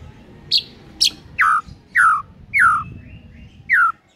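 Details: White-rumped shama sounds from a morning lure: a series of separate downslurred whistled notes, about one every half second, over faint background hiss.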